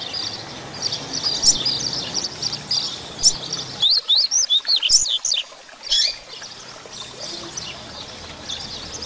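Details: Double-collared seedeater singing a 'grego'-style song, played to stimulate other birds and teach them to sing: a fast run of sharp, high, slurred whistled notes in the middle, over a steady high chatter of background birds.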